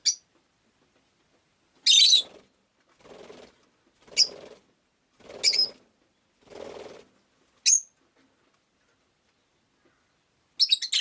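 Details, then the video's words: Rosy-faced lovebird kept in Japan calls with a run of sharp, shrill shrieks spaced about one to two seconds apart, with softer, lower rasping notes between them. "Lovebird Chirping Sounds"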